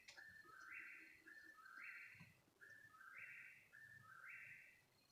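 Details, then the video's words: In the small hours around 3 a.m., a bird repeats paired whistled phrases, a short low note rising into a longer higher one, delivered in two-phrase bursts with brief pauses between. "What kind of bird makes this noise?"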